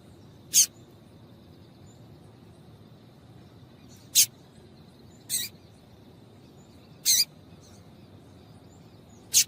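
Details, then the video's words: A female Double-collared Seedeater gives five short, sharp chip notes, spaced irregularly one to three seconds apart, over a faint high hiss; such female calls are used to stimulate males to sing. "Piado de Fêmea de Coleiro"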